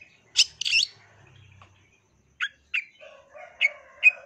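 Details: Long-tailed shrike calling with two loud rasping bursts, then a pause and several shorter clipped chips spaced unevenly, plus a faint low warbling note underneath.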